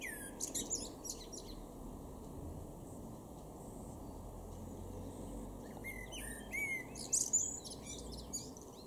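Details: Singing male common blackbird, garden in Weener, East Frisia, northwestern Germany, May: a high twittering phrase, a quiet gap of about five seconds, then a louder phrase of fluty warbles and piercing high twitters.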